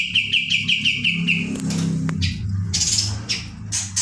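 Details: Kapas tembak (Pied Triller) in rolling song: a brief fast row of bright repeated notes, then only scattered faint high bursts over a louder low rumbling background.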